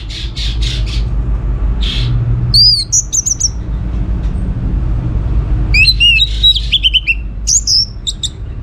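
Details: Orange-headed thrush song used as a lure for other birds: soft noisy pulses early, then sharp high whistled phrases and fast trilled runs, over constant low background hum.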